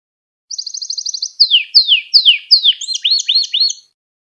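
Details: Canary training song meant to teach young canaries and excite them: a fast high trill of even notes, then loud sweeping downward slurs, then quick looping upturned notes, all clean with no background.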